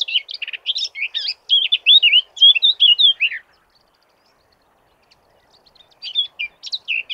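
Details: Eurasian blackcap singing a fluty, loud, rhythmic phrase of quick varied warbling notes with bright whistled bursts, about three seconds long, then a pause and the start of another phrase; otherwise quiet background.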